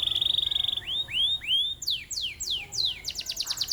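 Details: Competition canary singing a varied song: a steady high trill, then rising upswept whistles, followed by rapid downslurred notes and a fast clipped rattle at the end.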